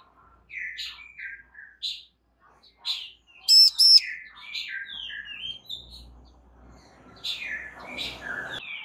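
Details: Female bar-winged prinia calling to get a male to answer: short high chirps, some sliding downward, in loose bursts, with a loud, stacked, buzzy double note near the middle and faint background rustle.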